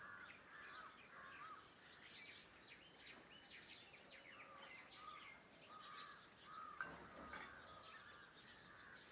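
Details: Several birds calling in the morning near a farmhouse: scattered chirps, short whistles and a few clear rising notes layered over constant background hiss.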